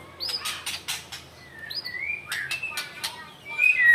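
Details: White-rumped shama in an angry mood, giving short whistled notes and rising slurs broken by dry clicking bursts, ending in a loud, bright descending whistle.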